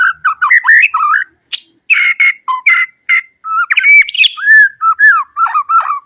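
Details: Varied song of a white-rumped shama, meant for tutoring young birds: a rich run of warbled whistles, short slurs and a few harsh buzzy notes, delivered in rapid bursts with brief pauses.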